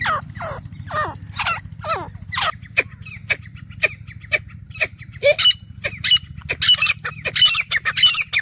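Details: Grey francolin calling, a call used to lure birds for hunting; loud, ringing notes with sharp rising and falling harmonics, repeated about twice a second and growing louder, over a steady low hum.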